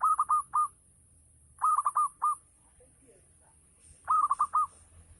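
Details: Local zebra dove in full ngayer song, meant to stimulate other doves to respond. Three bursts of quick, rolling coos, each a cluster of four or five soft notes, separated by pauses of about a second.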